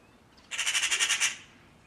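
A magpie gives a harsh, rattling chatter: about eight rapid, grating notes run together in under a second, over a quiet outdoor background.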